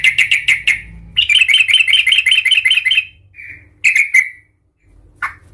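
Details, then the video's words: Sooty-headed bulbul in raging 'cuk cuk' fighting style called Tarung Garuda, used as a lure to provoke other bulbuls: harsh, rapid chattering notes in dense bursts, separated by brief pauses, with a faint low hum. "Suara trucukan gacor Cuk cuk ngamuk Tarung Garuda - Ampuh untuk pancingan trucukan agar bunyi EMOSI"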